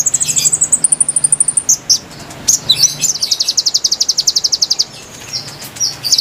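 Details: Lure recording of konin song for wild birds: a thin high trill climbing in pitch, scattered sharp chips, then a long fast ticking rattle, over a quiet low hum.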